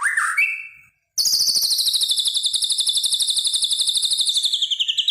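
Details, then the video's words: Medan white-rumped shama giving a brief whistled note, then a long, fast, buzzy trill of very high pulses, about four per second, slowly dropping in pitch. "Kicauan Murai Medan mantap.."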